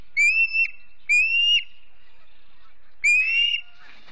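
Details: Osprey family at the Charlo nest, Montana, September morning 2016, live camera: three long, clear whistles, each rising in pitch, spaced one to two seconds apart.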